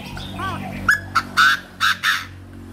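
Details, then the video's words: Chinese francolin calling: a quick series of loud, harsh, ringing notes, short first notes building to two longer emphatic ones, preceded by a faint wavering sound. "tiếng chim đa đa gáy"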